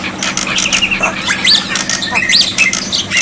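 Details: Black-winged myna song used as a tutor to prompt silent birds, with water therapy: harsh squawks mixed with short rising whistles, delivered in an irregular, busy stream with a steady low hum underneath.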